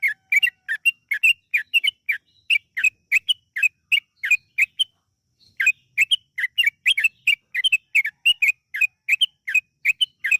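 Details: Yellow-vented bulbul lure recording of lively 'gacor' song: dense rapid chirps and whistles running for about five seconds, a short silence, then another long energetic run.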